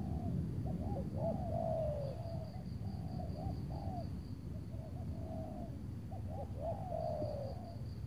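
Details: Spotted dove luring session in Tangerang before rain, decoy against a big-voiced wild bird. Clusters of quick hooked coos and long falling notes in repeated phrases, backed by pulsing high insect sound.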